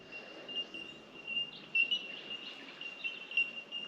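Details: A Bell Miner colony on the Genoa River, Australia, in the morning, gives a steady chorus of high, pure, bell-like tinks that overlap continuously, with fainter insect-like buzzing and general outdoor hiss.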